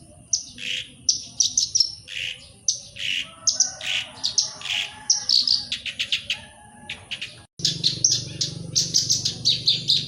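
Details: Black-browed reed warbler song meant to draw song from other birds: quick, varied bursts of high, scratchy notes and short trills in rapid succession, briefly cut near the end, then continuing over a steady low hum.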